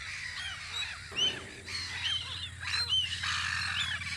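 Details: Spring gulls on Audru polder at their guard post, a few clear rising-falling squeals standing out above a background chatter of many birds and a low steady hum.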